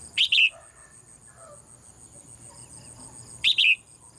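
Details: Female bird singing in a cage each morning: a quick double chirp at the start and another double chirp about three seconds later, separated by quiet background murmur and a continuous high whine.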